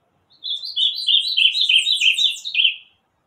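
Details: Bananaquit delivering a clean, high-pitched, buzzy song of quickly repeated squeaky notes that gradually drop in pitch, lasting about two and a half seconds, against silence.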